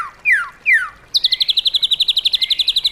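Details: White-rumped shama kept in a cage, singing wild-style song: two loud falling whistled slurs, then a rapid, steady, high trill of about sixteen evenly spaced notes over a soft lower tone.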